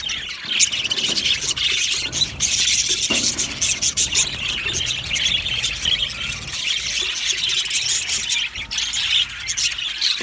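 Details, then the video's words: Budgerigar colony in an aviary, described as happy, giving a dense, continuous high-pitched chirping and warbling chatter from many birds at once, with scratchy squeaks throughout. "Budgies chirping sounds | Happy Budgies sounds"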